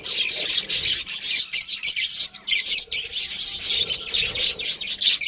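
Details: Budgerigars chattering nonstop, raspy scratchy warbles broken by short clear whistled squeaks, the busy flock noise pulsing in quick bursts with brief gaps between.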